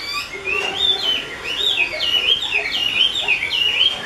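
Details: A 'mơ' Chinese hwamei kept by a bird keeper sings a continuous run of clear, looping whistles that rise and fall in a steady wavy rhythm, with softer lower notes underneath.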